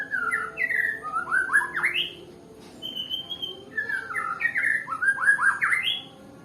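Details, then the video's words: Nias white-rumped shama, described as slow to sing, delivers loud, varied, slurred phrases in quick succession, pauses with one high whistled note, then resumes a similar rich, rising series of phrases. "Murai batu yg males bunyi ya seperti ini contohnya"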